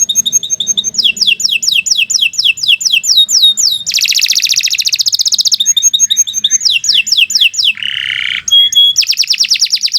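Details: Canary song in a long, unbroken style used as a tutor for other birds: fast sweeping trills, a loud buzzy rattle, rolling repeated phrases and a brief lower note, all delivered in quick succession without pause.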